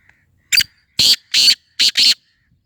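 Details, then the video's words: Black francolin giving a loud, harsh, rasping call of five grating notes in about one and a half seconds, a short first note followed by two paired bursts. The background is quiet. "کالا تیتر کی آواز سندھی تیتر کی بولیاں"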